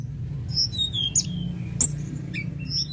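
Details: Lark known as tledekan gunung singing clear high whistled notes that slide downward, mixed with short sharp chips, above a persistent low droning hum.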